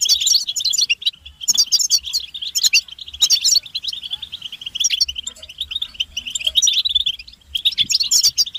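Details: European goldfinches in collective chatter, described as mating and readiness calls that spur males to sing: continuous jingling twitter with a buzzy drone beneath, louder sparkling bursts recurring every one to two seconds.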